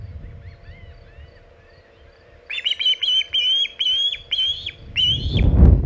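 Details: At Hog Island, 27 August 2019 around 3:50 pm EDT, an osprey with a big shad: faint distant chirps first, then a loud series of seven whistled chirps, ending in a burst of low rumbling noise.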